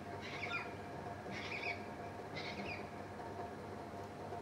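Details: Endangered pink (Major Mitchell's) cockatoo at a waterpoint giving three harsh, wavering screeches about a second apart over a steady low background hum.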